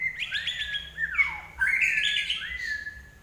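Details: Common iora in lively song, recorded as tutoring for pet birds; level whistled notes, a long downward-sliding whistle, then a bright, rising warbled phrase fading away.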